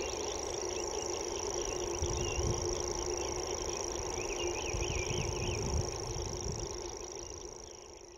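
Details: Common grasshopper warbler reeling: a long, even, high-pitched trill sustained throughout, accompanied by rapid repeated chirps from another bird, with low rumbling thumps in the middle and the sound fading slightly at the end.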